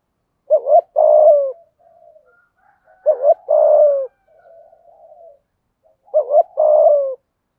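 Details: Spotted dove decoy calling wild doves at morning: three loud phrases, about every two and a half seconds, each a quick double coo and a longer mellow coo, with faint distant cooing in the gaps.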